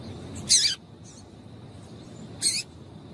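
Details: Female double-collared seedeater call, used to stir a male into singing. Two short, very high, buzzy chips about two seconds apart over a quiet hiss.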